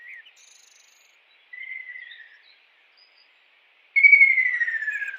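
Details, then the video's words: Wild kingfisher singing: a brief whistled note, a falling whistle mid-clip, then a louder, longer, clear whistle sliding steadily downward. The background is quiet. "KICAU BURUNG TENGKEK RAJA UDANG di alam liar"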